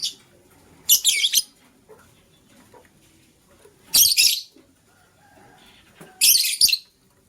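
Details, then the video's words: Green lovebird chirping in the morning, with a blue lovebird scrambling for vegetables; three loud, rasping chirp bursts arrive roughly every two to three seconds against near silence. "Green LoveBird Chirping Sound"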